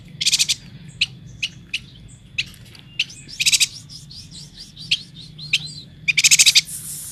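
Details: Busy yuhina, a Kalimantan endemic, alternating scattered high chips and brief twittering phrases with short rapid rattles, ending in a loud, dense burst of pulsed notes.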